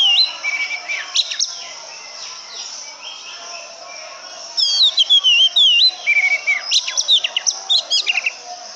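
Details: Oriental magpie-robin singing clear, varied whistled phrases with sliding and looping notes, some sharp chips, pausing midway before a fuller burst of rich melodic whistles.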